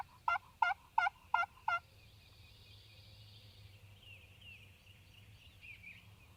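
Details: Spring gobbler in Mississippi, a Wild Turkey male: five strong, evenly spaced throaty pulses in under two seconds, then only faint background hiss.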